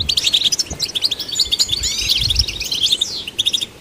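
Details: European goldfinch song, used to stimulate other goldfinches: a fast, tinkling twitter of high, chirpy notes running almost without pause, mixed with a few sliding whistles and buzzy trills. Faint low rumble underneath.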